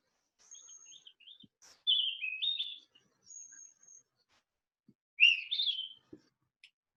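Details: Green-backed flycatcher, a summer migrant breeder in the mountains around Beijing, sings clear, high whistled phrases mixed with warbled, slurred notes in a few short bursts over several seconds; otherwise quiet.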